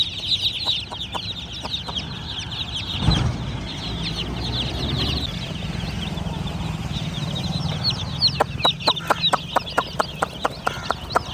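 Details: Baby chickens giving high overlapping peeps, with a low thump and rustle near the start and a run of evenly spaced sharp clicks or taps toward the end.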